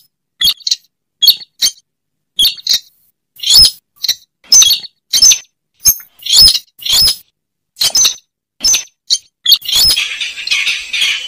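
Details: Lure calls of a slaty-breasted rail: a long series of short, shrill, scratchy notes, often paired, coming faster midway and ending in a buzzy chatter.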